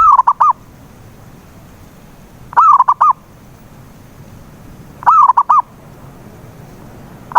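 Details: Repeated zebra dove cooing aimed at getting a silent dove to sing: phrases every two and a half seconds, each a quavering, dropping coo plus three short, punchy notes, with quiet between.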